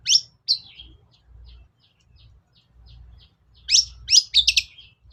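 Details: Long-tailed shrike lure song to prompt reluctant shrikes to sing: two sharp upslurred notes, soft faint ticks, then a closing cluster of loud, harsh, buzzy chirps.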